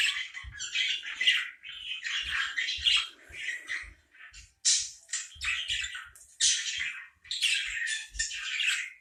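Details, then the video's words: Parakeets chatter in a continuous stream of harsh, scratchy, high-pitched and rapid squawks and chirps, with brief pauses between bursts. "parakeet sounds"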